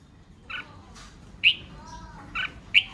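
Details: Red-whiskered bulbul singing to provoke rival birds: sparse, loud slurred whistles spaced about a second apart, with a faint lower tonal hum and a soft background hiss.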